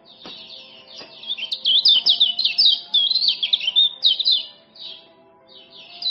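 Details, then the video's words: Fast 'ciak ciak' series from a male common iora, Lombok voice, played as tutoring and lure for quiet birds. Crisp, high, stuttering chirps crowd together, fading briefly before resuming, with soft low humming tones underneath. "Kecial Kuning Jos Super Speed Tanpa Ngeriwik"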